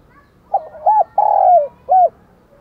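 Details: Spotted dove acting as a decoy, singing in the morning to lure wild doves. A faint opening note, then a short curved coo, a long downslurred croo, and a closing arched coo, mellow and evenly spaced.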